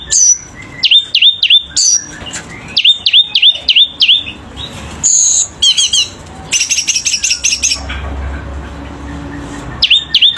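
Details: Selendang biru bird singing hard in repeated bursts of downslurred whistles, three or four per burst, mixed with buzzy high trills and rapid chattering notes.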